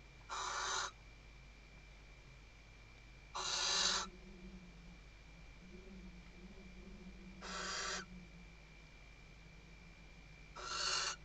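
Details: Western barn owl, female, calling the male as she stuffs the nest at Riet Vell reserve, Tarragona, Spain, 2023: four raspy hissed screeches spaced three to four seconds apart, with soft low rumbling between them.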